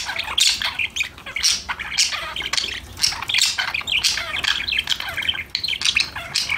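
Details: Several parakeets having fun together, harsh little squawks mixed with quick chirps and warbled phrases in a lively, almost unbroken chatter.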